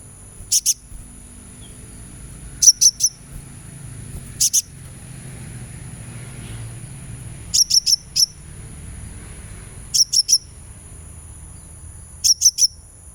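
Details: High sunbird chirps used as therapy sound to encourage a kept bird to sing: short clusters of two or three sharp, piercing notes repeated roughly every two seconds, separated by quiet gaps, with a steady faint high whine and low hum throughout.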